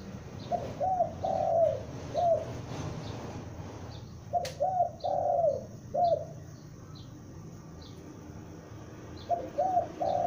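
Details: Cooing of a young spotted dove used for luring, three phrases of clipped notes and a drawn-out falling coo spaced a few seconds apart, plus a sharp click and faint distant chirping.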